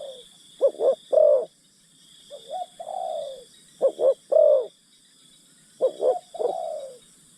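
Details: Spotted dove acting as a decoy to attract wild birds: three phrases of quick double coos leading into a rolling coo, each trailed by a long falling coo, over a steady piercing background hum.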